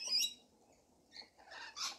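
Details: Rainbow lorikeets in a feeding frenzy: a sharp high screech opens, then after a pause a burst of harsh, overlapping chattering screeches from several birds.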